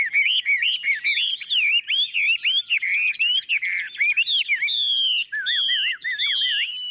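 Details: Chinese hwamei, a tame, newly arrived bird with yellow legs and bill, sings loudly while held by hand, without pause: a rich run of varied whistled phrases with slurred rising and falling notes and quick repeated trills; heavy rain began just after.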